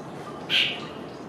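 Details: Jungle babbler giving one short, harsh, squeaky note lasting about a third of a second, over faint steady background hiss.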